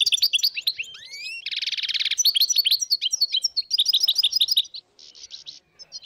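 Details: Wild European goldfinch flock of dozens in northern Morocco, 2022: tinkling twittered notes, a clear upward-sliding whistle, then a long buzzy trill, more chattering phrases, a sudden lull and a few short buzzy bursts at the end.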